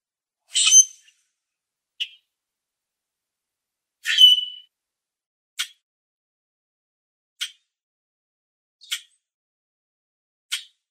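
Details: Common grackles recorded in a backyard and on nature walks. Two harsh, squeaky calls with a whistled edge come at about 0.7 and 4.2 seconds. Sharp, brief chips recur roughly every one and a half seconds against a quiet background.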